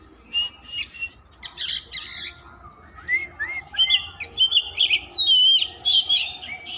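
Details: Oriental magpie-robin (kacer) singing without stopping: loud, varied bursts of sharp chirps give way to rising and falling whistled phrases and long clear high notes, delivered quickly in irregular succession with no other sounds.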